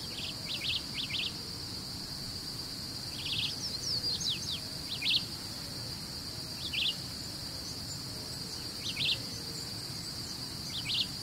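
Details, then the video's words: Chivi Vireo (Vireo chivi) singing short, quick warbled phrases of a few notes, repeated every one to two seconds over a steady, high insect drone. "CANTO DA JURUVIARA | Vireo chivi | Chivi Vireo"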